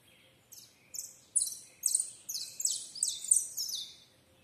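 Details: Canary singing a series of bright, high, buzzy-rolled phrases, each about half a second long, rising in loudness and following one another in quick succession over a quiet background.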